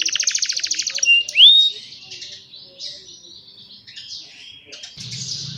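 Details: Young canaries singing as a model for other canaries, recorded on a cellphone: a fast buzzy trill, a loud rising whistled sweep, then soft rolling warbles, with a low hum near the end.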